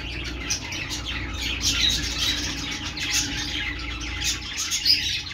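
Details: Budgerigar chatter: rapid high chirps and thin whistled notes run together over a faint low hum, with a brief sharp squeak near the end.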